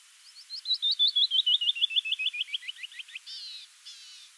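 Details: A canyon wren sings at Morro Bay, California, on 19 June 2018: a cascade of about twenty clear whistled notes that slide lower and slow down, ending in two harsh buzzy notes.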